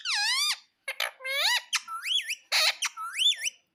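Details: Pet parrot calling loudly: a long screech sweeping up and down, then several shorter, bent squawks with rising-falling, wavy pitch, about six calls in under four seconds.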